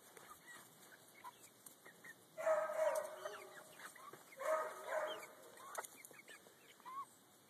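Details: Easter Egger chicken giving two loud, drawn-out harmonic calls about a second each, separated by a short pause, with softer scattered chirps and clucks between and after them.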